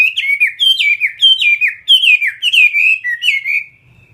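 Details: A Chinese hwamei, a caged Vietnamese fighting bird ('họa mi chiến'), pours out fast, clear slurred whistles, each note dropping in pitch, before ending on one long held tone.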